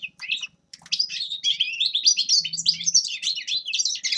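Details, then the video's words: Grey-crowned goldfinch song: after a few separate high chirps, a continuous rapid warble of buzzy trills and twitters follows, with a faint low hum in the background. "Седоголовый щегол Carduelis caniceps певчая птица"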